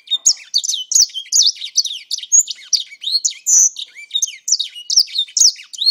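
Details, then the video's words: Captive grey singer, kept about four months, delivering a rapid run of bright chirps and looping whistled phrases, roughly two notes each second, with hardly any pause. "grey singer"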